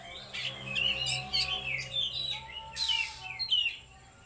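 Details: Oriental magpie-robin in full-power trotol and konslet singing: loud, fast whistles and scratchy bursts, sliding notes that rise and fall, packed into dense phrases that end in a quieter tail.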